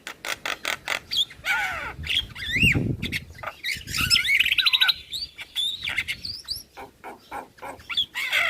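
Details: Javan myna lure song, full of varied fill-in phrases, meant to prompt other starlings to answer: harsh buzzy bursts mixed with rising and falling whistles, rapid clicking notes and squawks in a dense, restless stream.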